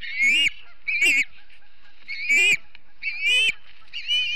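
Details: Montana ospreys at their Charlo nest on an early September morning, 2016, via live nest cam: five sharp whistled calls, each rising and slurred, spaced about a second apart.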